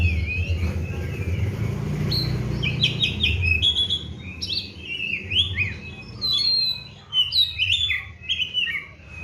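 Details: Bird keeper's Oriental magpie-robin, fed seven crickets daily and bathed twice a day, singing in lively 'gacor' form: a stream of varied rising and falling whistled notes and chattering chirps that grows denser after a quieter start.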